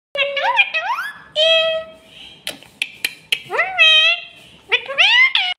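A rose-ringed parakeet talks in short, high, nasal phrases of a few syllables, with rising slurred inflections and sharp clicks between words.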